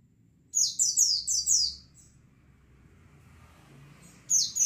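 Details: White-eyes calling together as lure therapy: a run of four shrill descending chirps and a fading trailing note, a long pause with low rumbling noise, then another sharp high burst.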